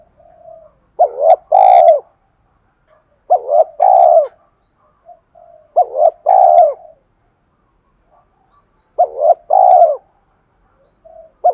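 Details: Decoy spotted dove with a thổ sấm voice, cooing to challenge wild birds into fighting. Four evenly spaced phrases, each two quick hollow coos followed by a longer downslurred coo, and short quiet notes between.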